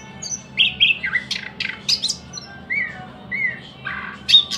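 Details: A short stretch of thrush nightingale song with clear whistled notes, sharp rising chirps and a couple of smooth slurred whistles, spaced out over a quiet hum in the background.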